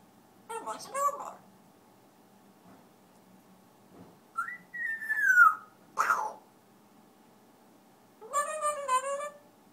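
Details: Pet African grey parrot singing indoors in a small room: scattered whistled phrases, a clear rising then falling whistle near the middle, and a final harmonic-rich warble, with quiet gaps between bursts.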